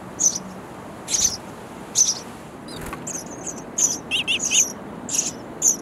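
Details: Baby sparrows in a bird house nest calling for their parents, who bring insects; high, thin chirps in irregular bursts, some doubled, with a short knock midway.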